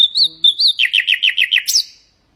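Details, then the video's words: Nightingale song for teaching goldfinches and canaries to sing: pure whistled notes near one pitch, then a fast run of about seven descending chirps ending in a high sharp note. "ساعة من تغريد طائر العندليب"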